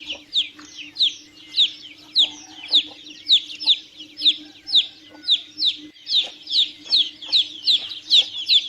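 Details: Chicks peeping: a steady run of high, thin, downward-slurred peeps repeated roughly every half second, with a faint low hum underneath throughout.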